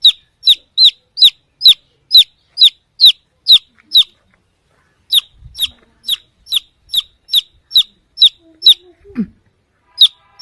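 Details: Baby chick chirping while looking for the mother hen: loud, high, downward-sliding peeps repeated about twice a second, a short pause near four seconds, then another steady run of peeps.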